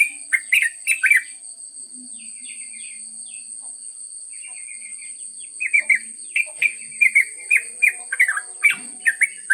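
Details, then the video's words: Yellow-vented bulbul (trucuk) in long ngropel song: a burst of chattering notes, a quieter pause with soft twitters, then renewed rapid bubbly warbling phrases, with a constant high-pitched tone in the background. "trucuk ngropel panjang"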